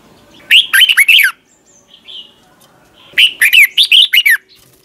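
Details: A red-whiskered bulbul's competition song for training: two lively phrases of bright, twisting warbled notes about two and a half seconds apart, with a soft short call between them.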